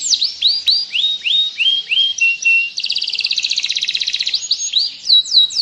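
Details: White-rumped shama song offered as training material alongside canary and cililin sounds: a run of sharp, downslurred whistles, then a fast buzzy trill for about a second and a half, ending in more looping whistled notes.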